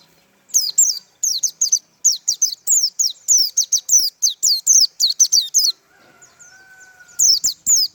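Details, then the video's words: Long sustained tembakan run from a white-eye, about twenty crisp high descending whistles in steady succession, a pause with a faint lower whistle, then a final short burst. "tembakan burung pleci mantap abis"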